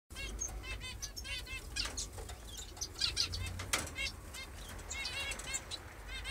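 Senegal white-eyes giving thin, high chattering calls in quick rippling bursts, with repeated wing flutters and low background rumble.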